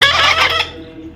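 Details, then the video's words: Pet parrot playing outdoors gives a single harsh, loud, broadband squawk lasting about half a second, fading away, followed by music and a voice saying I love you. "funny talking parrot compliment.Parrot Talking"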